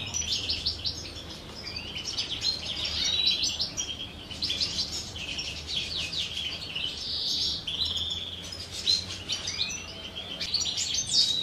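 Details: Captive common chaffinches in courtship during the 2023 breeding season, two females sharing a male; continuous busy twittering with rapid trilled notes and buzzy chirps, rising slightly in intensity midway.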